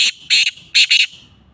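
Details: Black francolin (kala teetar) in very cold weather, 21 December 2022: four loud, harsh, buzzy notes delivered in two quick pairs within about a second, the last pair almost run together.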